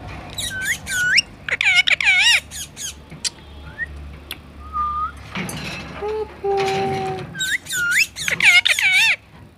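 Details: Parrot in its cage while eating corn; groups of loud, looping screeches at start and end, with scattered whistles, clicks and a short steady tone in between.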